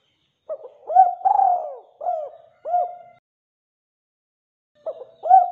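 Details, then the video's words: Spotted dove cooing vigorously, used as a lure to make other doves call: a phrase of soft, mellow, rising-then-falling coo notes, followed by a pause of about two seconds and the start of another phrase, with a clean, quiet background. "Suara Tekukur Gacor Buat Pancingan"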